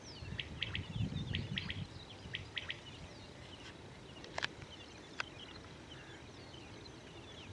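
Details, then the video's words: A single quail calling from a crop field, a wary bird not drawn in by a played female call: sharp, high chirping notes in quick clusters of two or three, repeating over a few seconds, with low rumbling field noise beneath. "तो ये जो बटेर है, इस खेत में एक बटेर बोल रहा है, आप लोगों को सुनाते हैं, इसकी आवाज़ भी आप सुनेंगे।"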